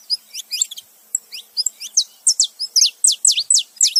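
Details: Saffron finch male and female together, making noise: rapid sharp high chirps and descending chipped notes, about three per second, growing louder and more regular in the second half.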